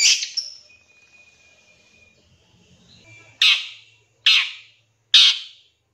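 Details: Long-tailed shrike, used as a lure recording to set off other birds: a thin, even whistle first, then three harsh, rasping bursts about a second apart, sharp and broadband.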